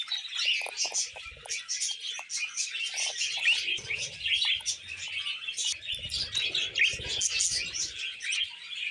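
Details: Budgerigar couple on a hand giving a long, unbroken twittering song full of quick clicks, squeaks and buzzy chirps.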